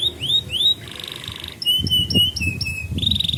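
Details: Young-canary training song: two rising whistled notes, a harsh buzzy rattle, then a string of sharp clipped notes and steady whistled tones, with faint low background noise.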